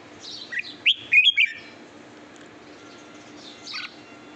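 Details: Red-whiskered bulbul, possibly used as a lure bird, giving a short burst of bright, rising chirps and a quick warbled phrase, then fainter notes after a pause; steady low hum underneath.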